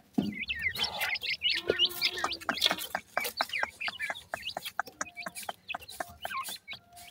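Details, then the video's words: Young francolin chicks peeping continuously: short high chirps with hooked, rising-falling shapes, about two per second, loose and irregular, over faint rustling and clicks. "teetar bird chicks ki sound"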